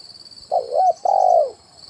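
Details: One phrase of a spotted dove decoy call, 'kuk 1' style, for luring wild birds to branch and ground: a wavering, dipping coo, then a long drawn coo that falls away. A steady high ringing sounds in the background.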